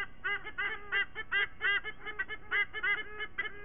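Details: Pair of white-bellied sea eagles in Sydney giving squonk calls in September, parents vocalising as a family to greet the day; quick nasal honks, several per second, bunched in uneven bursts with overlapping voices.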